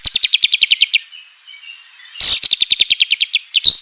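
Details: White-rumped shama song for provoking other shamas to sing: bursts of rapid high clicking, ticking notes, a short quiet gap, then the rapid series resumes.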